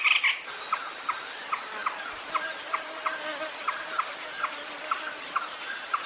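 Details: Red-legged crake, in a call used at night: short, clipped single notes repeated at an even pace, roughly two to three per second, over a steady high-pitched insect drone.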